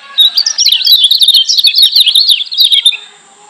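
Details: Lombok white-eye (kecial kuning) singing persistently, as a master track to rile up listening white-eyes: a continuous rapid burst of high, bright, jumbled chirps lasting about three seconds.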